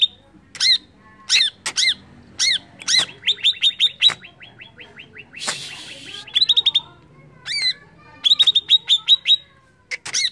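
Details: Greater green leafbird song meant to provoke rival birds: arched whistles mixed with rapid chattering trills of clipped notes and a brief burst of noisy rasp midway.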